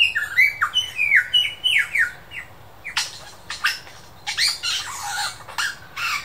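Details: Mimicking superb lyrebird in the Dandenong Ranges Botanic Gardens: a run of falling whistled slurs repeated about every half second, then sharp clicks and harsh broadband bursts like shutter or laser sounds.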